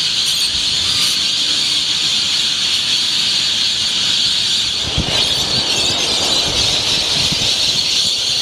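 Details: Thousands of rainbow lorikeets at dawn on Yeppoon Main Beach, 1 June 2013, in a noisy display with aerial acrobatics: a dense, unbroken wall of shrill, high screeches with no pauses and a brief thump near five seconds.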